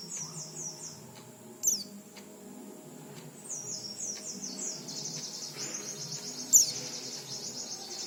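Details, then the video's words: High-pitched oriental white-eye song used to coax raw, untrained white-eyes into singing quickly: rapid chains of slurred downward notes, then a sustained rippling trill, punctuated by two sharp loud chips, with soft low rumble behind. "Suara pleci ini cocok untuk memancing pleci bahan agar cepat bunyi"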